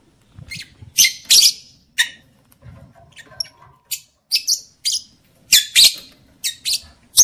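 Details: Lovebird sounds meant to raise a male's mating drive and bring a female into breeding condition; sharp, high, harsh single and paired chirps at irregular intervals, with faint low bumping noises between them.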